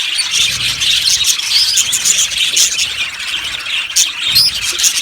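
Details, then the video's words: Yellow budgies in a colony aviary: busy high twittering with a few crisp, rising whistled chirps breaking clearly above the background chatter of the flock. "Budgies chirping sounds"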